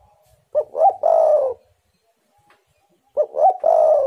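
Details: Two loud three-part coo phrases from a spotted dove, used to make wild doves sing, each a short note, a rising note and a long wavering coo sliding downward, separated by silence.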